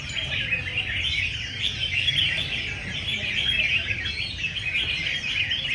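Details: Many caged red-whiskered bulbuls sing against each other in a competition session at a bird market, a dense, overlapping chorus of bright, chattering phrases over a low background rumble.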